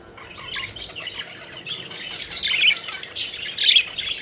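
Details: Pet budgerigars at play give raspy, scratchy squawks that start soft and grow louder and busier toward the end, with harsher notes in the last second.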